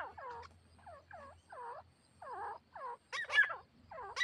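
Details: Grey partridge, where a captive female is used to draw in a wild partridge: rapid run of looping, curved calls about twice a second, a louder harsh burst near the end, and a low steady hum underneath.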